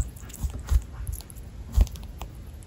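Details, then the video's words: Small Java sparrow eating and making chewing sounds indoors: dry, sharp clicks and crunches in irregular bursts, two louder cracks standing out, against a quiet room hum. "ちっちゃいのに立派に咀嚼音を立てる文鳥 java sparrow"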